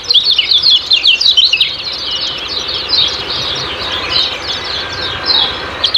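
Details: Kecial kuning ciak-ciak singing for training caged birds: quick, high chattering chirps tumble over one another in a continuous stream, loudest early on, then easing into a softer, steady twitter.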